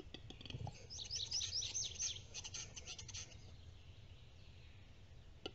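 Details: A male capercaillie displaying at a lekking site in Estonia, May 2, 2022: dry clicks, a hollow pop, then a rapid high scraping, grinding phrase, with faint background hiss.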